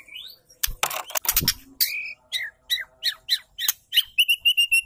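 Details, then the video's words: Female white-rumped shama calling to trigger male song: a harsh, noisy burst opens, followed by spaced, sharp, falling notes and ending in a quick train of short, level whistles. "pancing dengan suara murai betina gacor"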